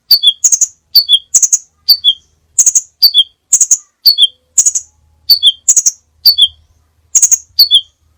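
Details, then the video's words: Sepah raja, the crimson sunbird, in a many-variation training recording: steady, brisk series of high chip pairs each followed by a slurred descending tsip-tseu, repeated about a dozen times in quick succession. "masteran burung sepah raja banyak variasi ( suara audio kicau burung )"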